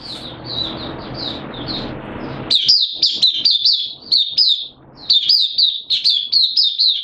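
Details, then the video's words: Oriental white-eye, a caged hobby songbird, in open song on 8 September 2022. Soft high twittering under background hiss gives way to loud, rapid bursts of bright chirped notes that repeat in quick succession. "Mata Puteh Kitaro Buka Sing"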